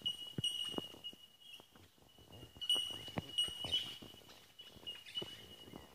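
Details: Chorus of Bell miners in D'Aguilar National Park near Brisbane, Australia, giving an unbroken stream of clear, ringing, single-pitched tink notes that swell and fade, over soft crackling and snapping sounds nearby.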